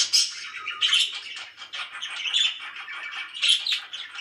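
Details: Happy pet budgies twitter in a continuous high warble, broken by clear whistled chirps and short rasping squawks.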